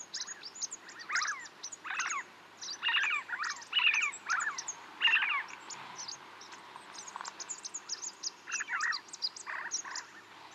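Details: Snow partridges near Chopta, Uttarakhand, India, recorded at 3700 metres: rough, grating calls delivered in loud clustered bursts, several overlapping, against a constant high, thin chirping background.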